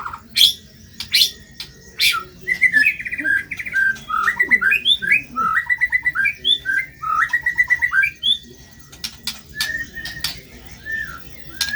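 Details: White-rumped shama (murai batu) in full song for training birds with rough-style material: brief clicks open, then a dense fast stream of varied whistled and chattered notes lasting about six seconds before sparse clicks return.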